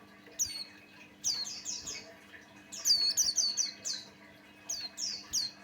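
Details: White-eye of the Buxtoni form, also called opior jawa, a vigorously singing male used as a lure to set other white-eyes singing. Clusters of sharp high whistled notes slurring downward come in quick bursts, with a low steady hum behind.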